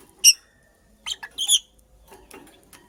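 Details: Female purple lovebird making a nest, giving one loud piercing chirp, then a quick run of three or four squeaky, slightly buzzy notes, with soft shuffling afterwards.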